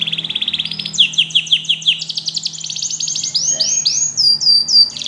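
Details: Yellow canary singing to prompt other canaries to join in: a long high trill, a run of repeated downslurred notes, then buzzy rolls and rising sweeps, all bright and continuous with a faint low hum behind.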